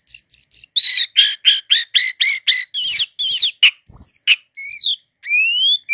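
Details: Brown-chested jungle flycatcher, a native Indonesian bird, singing its loud, dense 'ngeroll' song: a quick run of about a dozen harsh buzzy notes, then scratchy trills and clean rising whistles.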